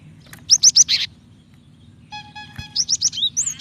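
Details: A female cinereous tit calls for a male, a sound used to make males sing: four sharp high chirps, a pause, a short lower buzzy tone, then a fast series of rising whistled notes, with a faint low hum.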